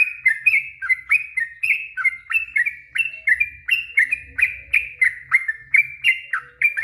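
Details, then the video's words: Long unbroken 'ropel panjang' song of a Yellow-vented bulbul, played to provoke stressed or quiet bulbuls into replying; a fast, even stream of bright downslurred chirps, about three per second, with faint low rumbling. "Suara trucuk ROPEL PANJANG,,trucuk stress trucuk bisu pasti nyaut seketika"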